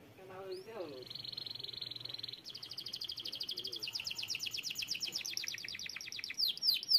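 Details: Canary singing quietly against background noise: a steady high whistle, then long rapid trills of repeated notes shifting in pitch, ending with sharp upswept notes.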